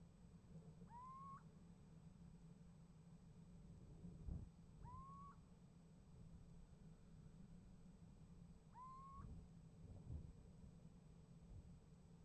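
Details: Little owl calling at a nest box on 28 January 2015 and getting a reply: three evenly spaced rising, plaintive calls every four seconds, with faint distant responses and a few low thumps in steady hum.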